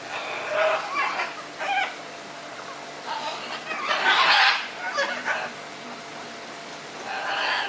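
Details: Red-and-green macaws in a noisy exchange: harsh, broad raspy squawks in bursts, one louder grating cry near the middle, with pauses of quieter background between.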